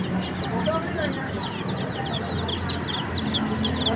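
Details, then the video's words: Chicks chirping in nature; many overlapping high, short, slightly descending peeps in a constant busy chorus, with a low steady hum underneath. "Relaxing Chicks Chirping Sounds in Nature"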